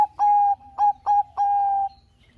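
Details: Loud Bangkok-strain zebra dove song, played as a lure for other doves: a clear note followed by three quick stuttered coos, each sustained then trailing off, on a steady mid pitch.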